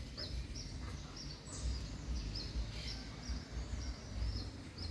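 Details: A pale-breasted thrush recorded with its three chicks gives thin, high chirps repeated about twice a second over a steady low rumble.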